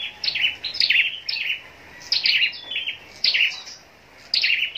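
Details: Scarlet-backed flowerpecker, a caged contest songbird from Long Thành in southern Vietnam, sings high-pitched tinkling chirps. Clusters of quick sharp notes come in four bursts about one second apart, with soft hiss between them.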